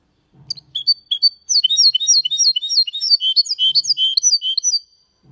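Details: Goldfinch × canary hybrid song in the Malaga manner, sung clean: a couple of opening chirps, then a fast, steady series of high bright twittered notes lasting several seconds, faint low thumps behind.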